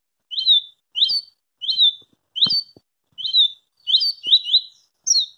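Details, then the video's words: Fast-singing double-collared seedeater giving evenly spaced, bright rising whistles about every half second, ending in a quicker cluster of doubled notes; a single low thump is heard in the middle. "SERÁ QUE VC JÁ VIU UM COLEIRO MAIS RÁPIDO?"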